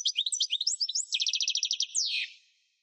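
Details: Varied high twittering of a European goldfinch, used to encourage captive birds to sing, running into a rapid even trill and finishing with a drawn-out buzzy note sliding downward.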